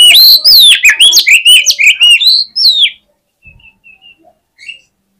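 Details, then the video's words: Oriental magpie-robin in full fighting song to rouse rivals. A three-second torrent of loud, rapidly rising and falling whistled phrases with harsh chips, followed by a few soft, short notes. "KACER GACOR FULL FIGHTER !!! COCOK UNTUK PEMBANGKIT EMOSI KACER LAWAN AGAR NGOTOT"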